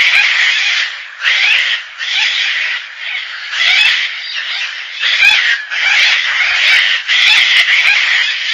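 Gang-gang cockatoo giving harsh, grating, creaky screeches, each about a second long, repeated almost without pause, like a rusty gate swinging.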